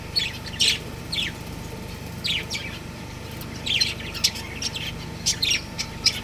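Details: Two budgies of a breeding pair chirping in loose groups of sharp, high tweets separated by short pauses, low mechanical hum behind.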